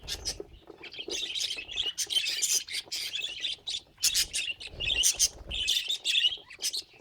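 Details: Budgerigar kept as a pet chattering steadily, mixing harsh buzzy phrases with quick high chirps in a rolling, rhythmic warble, punctuated by a few low thuds.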